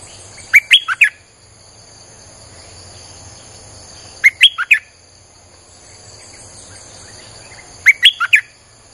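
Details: Repeated phrases of a Streak-eared bulbul used as a lure for wild birds. A lively four-note burst, sharp and up-and-down, comes three times at gaps of about three and a half seconds, with a faint steady hiss.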